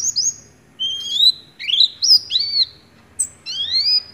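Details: Oriental white-eye in 'nagen ngecrok' style delivers slower, fuller whistled phrases borrowed from the white-rumped shama. The notes are slurred and rising, lower in pitch, with short gaps between them.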